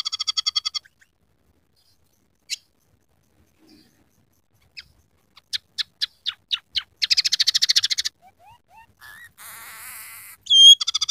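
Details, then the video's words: Scaly-breasted munia singing with inserted rough canary, sparrow and red siskin sounds: a short trill, isolated ticks after long pauses, rapid clicks building into a dense rattle, a buzzy drawn-out note, then a sharp whistle. "masteran burung emprit peking gacor isian suara kenari kasar"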